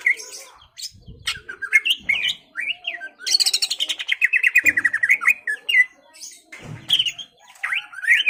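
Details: Lively greater green leafbird song aimed at rousing a rival to fight: varied slurred whistles and a long, rapid, buzzy chatter that sweeps up and down, with a few soft low thumps between phrases.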